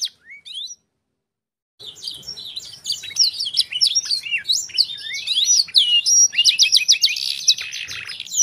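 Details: Training song of a black-throated canary for tutoring canaries. A brief sliding note is followed by a pause, then continuous rapid warbling of varied whistles and chirps, ending in a fast, evenly repeated trill.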